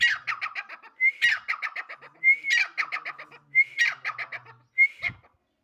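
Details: Repeated calling of a female grey francolin. A sharp upslurred whistle leads into a rapid stuttering series of harsh pulses, and the phrase recurs roughly 48 times a minute in otherwise quiet surroundings.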